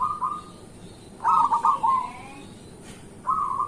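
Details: Zebra dove of the local type singing as a morning lure: a short burst of stuttering coo notes followed by a smooth trilled phrase after a quiet gap.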